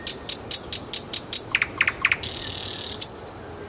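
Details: Song of a nightingale in Kuzminki forest park, built from a steady rapid series of sharp clicks, a few lower stuttering notes, then a harsh buzzy hiss and one high flourish.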